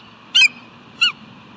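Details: Bald eagle perched on a nest rock on an afternoon in July, calling out while just hanging out: two brief sharp high notes about half a second apart, the second sliding downward.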